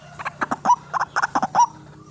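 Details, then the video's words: White-breasted waterhen used as a lure for trapping birds, giving a short burst of about nine gruff, croaking notes in quick pairs and triplets, two ending in a brief ringing tone. "RUAK RUAK GACOR GANAS RAJANYA PIKAT"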